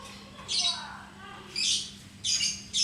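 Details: Pet lovebird giving short harsh squawks: three or four separate high, rasping bursts with quiet gaps, against a low background hum.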